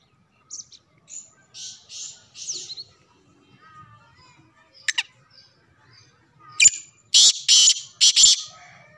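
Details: Black francolin (kala teetar) calling: soft high hissy notes early on, then a loud harsh grating burst of three or four rasping broadband notes in quick succession near the end.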